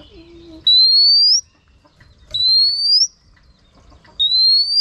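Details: Female oriental magpie-robin whistling to rouse males: three long, clear, upward-sliding whistles, each under a second, repeated roughly every 1.8 seconds with quiet gaps and faint low chatter before the first.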